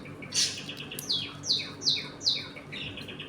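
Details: Budgerigars of a home colony during feeding and play, giving a bright high note followed by four evenly spaced falling chirps roughly every half second.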